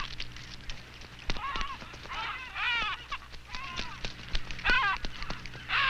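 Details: Adélie penguins at an Antarctic rookery, being caught and banded, give harsh, honking squawks with stacked harmonics in several bursts, over a low rumbling background with faint clicks.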